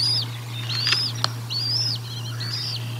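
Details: A bald eagle at the Decorah North nest, feeding on 1 April 2022, gives a few long high arched whistles with a short doubled note, plus a sharp click, over a low electrical hum.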